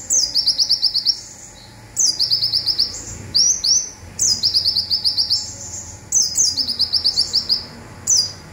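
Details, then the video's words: Olive-backed sunbird, local Indonesian bird, in its rapid 'zipper' song used to tutor other birds: repeated bursts, each a high falling whistle then a quick even chatter of metallic notes, with a few brief slurred whistles between. "Konin Lokal Tembakan Zipper"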